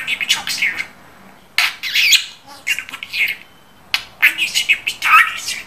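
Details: Indoor pet budgerigar mimicking speech in scratchy, chattering phrases with high squeaks, three bursts separated by brief quiet gaps.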